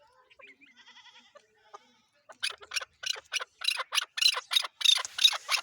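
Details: Chukar partridge, known as chakor, Pakistan's national bird: faint thin chirps at first, then a loud, regular chuck-chuck series of about ten harsh notes over three seconds, growing stronger toward the end.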